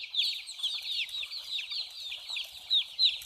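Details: A brief burst from a group of small chicks: sharp, high peeps falling in pitch, several at once, with two louder chirps standing out near the end.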